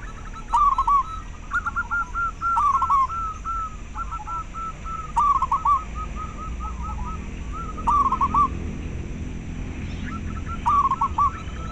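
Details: Local zebra dove calling, intended to stimulate caged doves to breed and sing and to attract birds; repeated rolling, trilled coo phrases every two to three seconds, with fainter trailing coos between them and background hiss.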